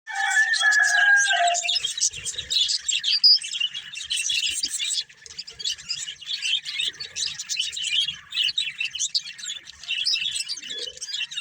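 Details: Breeding pair of budgerigars chirping: dense, rapid warbled chatter of buzzy notes and short whistles, a few lower whistled notes at the start, continuous throughout.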